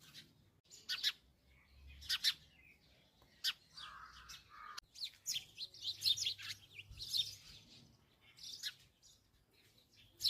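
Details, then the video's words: Sparrow giving sharp, high chirps, scattered single notes and short rapid runs over about ten seconds, with a brief lower buzzy note midway and quiet background between calls. "Bird's chirping is a lovely view 🐦❤️ #sparrow"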